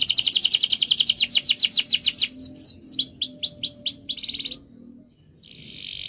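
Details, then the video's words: Lively canary song with chirping and a long roll, meant to prompt silent canaries: a fast series of sweeping high notes slows into repeated hooked chirps, followed by a short buzzy trill. Soft low background rumble. "kenari gacor cuit cuit ngeroll panjang‼️pancingan kenari bisu agar bunyi"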